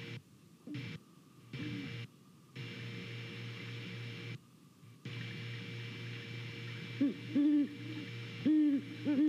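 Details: Pair of wild Great Horned Owls hooting to each other while checking out a nest camera site in Savannah on the morning of 28 November 2019; low, soft hoots in short clusters near the end, over a steady electrical hum with brief dropouts.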